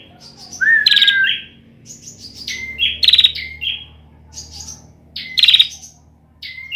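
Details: Young bar-winged prinia singing an unfinished song: three loud bursts of sharp chirps mixed with buzzy rattling trills, roughly every two seconds, with soft notes in between.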